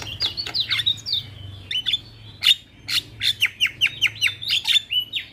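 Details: Black-winged myna training song meant to get a reluctant bird singing: a fast run of sharp, down-slurred whistles and harsh chips, repeated about every third of a second and growing louder toward the end.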